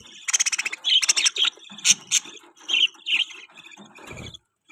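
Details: Baby budgerigars, newly hatched, chirping in rapid loud bursts of high, buzzy, squeaky notes, some rising sharply, trailing off into quieter chatter and a brief low thump.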